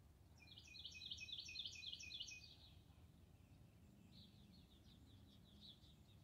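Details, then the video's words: A cardinal sings on February 4, 2021: a quick run of about eight bright, slurred notes over two seconds. Fainter high chirps follow, over a low background rumble. "Birdsong, Cardinal"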